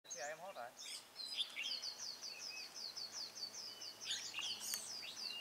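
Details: Red-whiskered bulbul used as a decoy bird while trapping wild bulbuls, recorded 21 March 2018: a rapid run of short, high, chirping notes repeated evenly, with other sharp tweets between and a brief human voice at the start.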